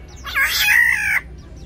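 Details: During a territorial fight between black-naped orioles in an aviary, a single harsh, nasal, rasping squawk lasting about one second, loud and broad, with faint notes after it.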